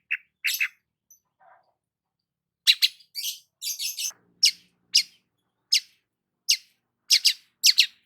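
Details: Long-tailed shrike in the morning sun: a few scratchy notes, a pause, then a dense run of harsh chattering bursts and sharp repeated chips.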